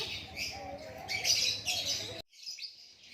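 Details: Natural song of a White-rumped shama described as a Lakbet: dense, loud, high chattering and whistled phrases for about two seconds, then a sudden cut to near silence with a faint trailing note.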